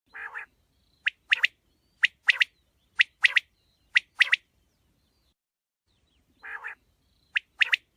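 A quail gives five ringing three-note phrases, a sharp high note then two quick liquid notes, about once a second, with a couple of rougher, lower squawks between them.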